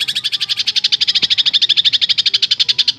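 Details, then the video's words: Greater green leafbird delivering a long burst in full-filler song: quick, piercing, high notes repeated in a dense rattling stream for three seconds. "Suara Cucak Ijo Full Isian Tembakan panjang super mewah"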